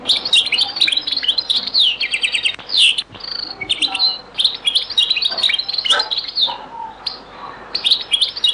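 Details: Continuous European goldfinch song in the Beni Messous 'les avocats' (zaboka) style, from a very old recording: dense, rapid tinkling twitters, buzzy trills and liquid chirps running almost without pause.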